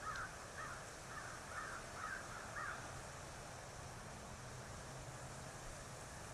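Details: At the Kisatchie National Forest E-1 nest, where the first egg was laid on 09/12/2023, a bald eagle gives five high chittering notes in quick succession, then falls silent under constant background noise.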